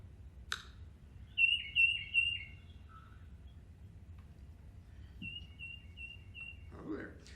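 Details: Tufted titmouse (Baeolophus bicolor) giving its most common call: a clear, whistled series of three or four high, falling notes, answered a few seconds later by a faster run, with a click and faint room noise.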